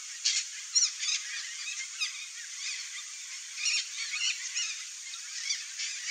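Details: Nesting pair of red-bellied macaws, Orthopsittaca manilatus, calling in the wild: harsh, scratchy squawks at irregular intervals, some in quick clusters, over a steady background hiss.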